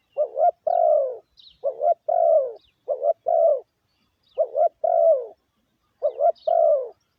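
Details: Steady spotted dove lure cooing meant to stimulate decoy birds: mellow double notes each followed by a long dropping coo, repeated rapidly in five phrases, faint chirps in the distance.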